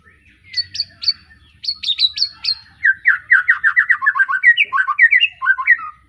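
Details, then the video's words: Young kept White-rumped shama from the Arko Tangerang bloodline, in Petarukan, Pemalang, just out of juvenile spotted plumage, singing lively: a run of sharp high repeated chips, then fast slurred downward notes in a steady tumbling stream. "Kicau Murai batu lepas trotol,suaranya heboh"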